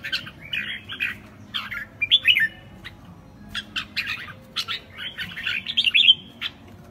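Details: Red-whiskered bulbul in a classic "ché" style song, mixing short dry clicks and sharp chips with a few bright slurred whistled phrases, with gaps between bursts and a light background hum.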